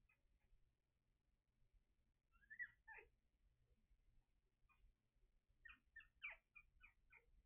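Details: Young common ravens making squeaky noises: quiet, scattered high squeaks and short whining notes, some bending downward, clustered in two groups, over faint low background hum.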